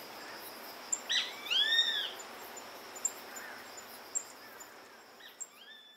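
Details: A single grey-faced buzzard call, a short note leading into an arched, drawn-out whistle. Faint scattered chirps and light ambient hiss follow.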